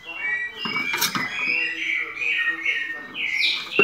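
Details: White-necked thrush delivering pianado-style song, a continuous flow of high, bright whistles and trills at fairly even loudness, with a few clicking sounds mixed in.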